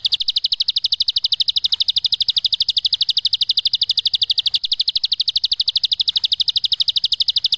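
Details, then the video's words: Long ngebren song of a bar-winged prinia, clear masteran recording: a fast buzzy stream of identical high chips, evenly spaced and sustained across the whole stretch, with one slight hitch near the middle and a quiet background. "MASTERAN CIBLEK SAWAH NGEBREN PANJANG BERJEDA SUARA JERNIH, JELAS"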